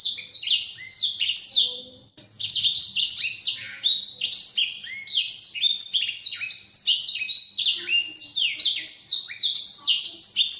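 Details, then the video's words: Black-throated canary song used as training song for caged birds: rapid continuous warbling of high descending slurred notes and trills, with a brief pause near two seconds, then dense varied phrases. "Masteran Burung Blacktroat"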